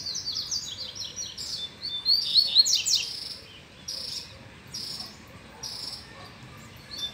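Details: Male double-collared seedeater in its cage, roused by a nearby female, pours out a lively high twittering phrase with quick slurred notes, then a series of evenly spaced buzzy high notes repeated about once a second.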